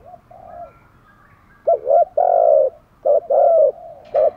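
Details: Decoy spotted dove calling to attract wild doves; after a soft faint coo and a pause, two loud phrases follow, each a quick double note and a held, slightly falling coo.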